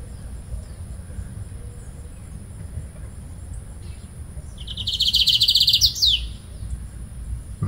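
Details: A young wild male Lined Seedeater sings about 2 m away in fine drizzle in February, near the nest its mate is tending. It gives one quick burst of high, rapid chattering notes under two seconds, ending in a falling slur, over soft outdoor hiss.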